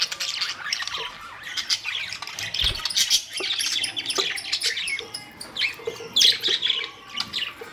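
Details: Budgies, recorded May 2, 2023, keep up a continuous high twittering of squeaks and warbles, with a faint dripping or trickling sound and a low thump partway through.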